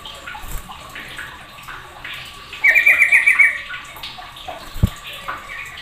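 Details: Sooty-headed bulbul giving a rapid, clipped rattle of about seven notes lasting under a second. Other birds join the noisy calling, with faint chirps behind and a single soft knock afterwards.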